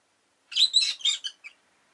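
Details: A pet rosy-faced lovebird gives a one-second burst of harsh, buzzy chirps, four or five rapid notes in a row, then goes quiet, amid possible town street noise.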